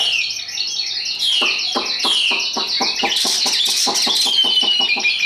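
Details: High song of a tame, hand-carried Chinese hwamei kept as a fighting bird: continuous shrill warbling over a rapid, evenly spaced string of sharp clicking notes, about three per second.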